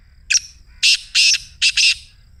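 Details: Black Francolin 'masti' call, played to encourage a caged francolin to call: a sharp opening click followed by four harsh, buzzy, grating notes, the last two close together, all over a quiet low hum.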